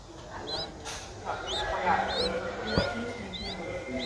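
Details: Seven-day-old Streak-eared Bulbul nestling, its eyes just opened, Ubon Ratchathani, Thailand, 9 April 2023; thin high upslurred squeaks repeat several times a second over low background rumble and murmur.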